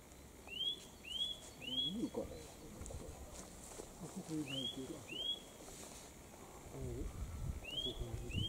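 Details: Eurasian nuthatch song on Mount Kongō, a mountain home to many nuthatches: bursts of two or three bright rising whistles separated by gaps, while people talk in the foreground.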